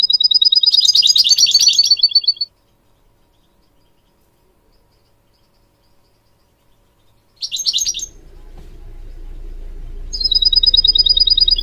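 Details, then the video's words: Training song of a goldfinch for young goldfinch mules and canaries. A dense, rapid high trill lasts over two seconds, then quiet. A short buzzy twitter returns, followed by a low hum and another fast trill. "Teaching goldfinch mules and canary to song"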